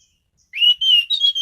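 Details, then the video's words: Caged orange-headed thrush sings a loud phrase of connected whistled notes, first rising then wavering and stepping slightly higher, buzzy at the end. "Burung Anis Cendana Gacor mapan"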